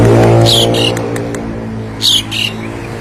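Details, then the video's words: Javan pied starling, said to be able to mimic the voices of all kinds of birds. Loud, harsh squawking bursts come in two clusters, one early and one later, over a steady low engine-like hum. "Jalak Suren bisa meniru suara segala jenis burung"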